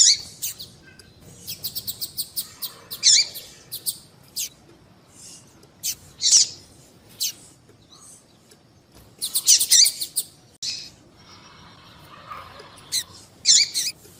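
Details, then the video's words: Female double-collared seedeater calling repeatedly to stimulate males. Rapid series of very high, ticking chirps alternate with louder, sharp, downslurred notes, roughly nineteen a minute. There are quiet pauses between bouts and a faint low hum late on. "Fêmea de Papa capim Chamando"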